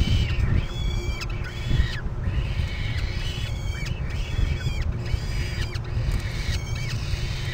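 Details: Begging falcon chicks at a Topeka nest on 17 May 2012, being fed by their mother one after another; strident, harmonic wails repeated in quick succession above a loud low-frequency drone.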